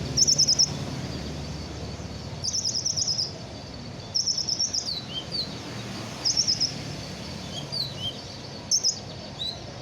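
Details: Sunbird just done moulting sings repeated high, rapid chattering trills followed by brief descending slurred notes, bursts coming every one to two seconds over quiet background rumble.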